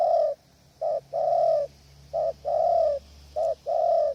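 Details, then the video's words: Spotted dove cooing in strong wind at a hide built to draw in distant wild doves: repeated pairs of a short coo followed by a longer, level, mellow coo, loud and close. "นกเขาใหญ่ต่อกระโจม ลมแรงนกป่าอยู่ไกลต้องใช้ตัวช่วย"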